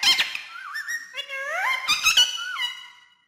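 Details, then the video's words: Green ringneck parrot speaking Urdu and Hindi: a couple of clicks, then smooth wavering and rising voiced tones like spoken words, overlapping squeaky syllables, fading at the end. "Non Stop Ringneck Green Parrot Speaking In Urdu Hindi"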